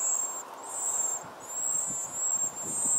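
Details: Four hungry wren chicks fed by both parents, giving a thin, very high continuous hissing whine that breaks off briefly and resumes in long sustained bursts, over low rustling and background rumble.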